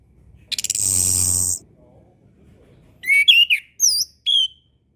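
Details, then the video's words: Orange-headed thrush master song for young learners: a sustained harsh rasping note, a short gap, then lively twisting whistled phrases and single down-slurred whistles. "MASTERAN SUARA ANIS KEMBANG KHUSUS UNTUK ANIS KEMBANG BARU BELAJAR BUNYI"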